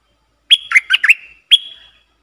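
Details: Caged decoy red-whiskered bulbul calling to draw in wild birds, dated 23/07/64: a rapid bubbling phrase of four or five whistled notes, then after a short pause a single clear, bright note that trails off.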